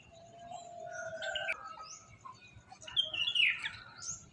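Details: Morning birdsong of thin whistles and quick chirps, some sweeping upward, heard over a constant background hiss, with a brief sharp click partway through.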